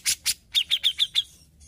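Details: Grey-cheeked Bulbul: two harsh, scratchy notes, then five quick clear chips near the same high pitch, about six per second, ending the brief chattering phrase.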